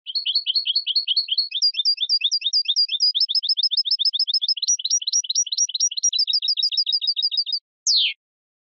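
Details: Long unbroken goldfinch song of rapidly repeated high twittering phrases, changing pattern every second or two, followed by a brief silence and one harsh downward buzzy note.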